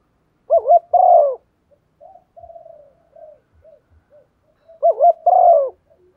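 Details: Spotted dove serving as a call-provoking decoy, with two loud phrases each of a rapid wavering coo followed by a longer falling coo, separated by a soft, low muttering sequence.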